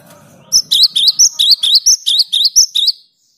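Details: Energetic cinereous tit song meant to coax silent birds into singing: around eleven loud, high two-note phrases delivered in a steady rapid string over about two and a half seconds, with a soft low hum before it starts.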